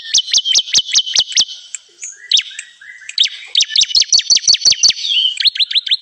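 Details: Bar-winged prinia used as a bird-trapping lure: a brisk string of high chirps, a short pause with faint notes, then faster, more crowded chirping to the end.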